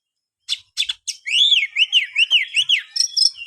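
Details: A kept Oriental magpie-robin opens with a few sharp clicks, then delivers a quick series of clear arched whistles repeated about three times a second, ending in higher twittered notes.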